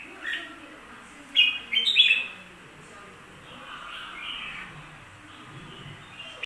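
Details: Short bright warbled phrase from a bulbul, a few quick chattering notes followed by softer fading whistles, over a quiet low hum.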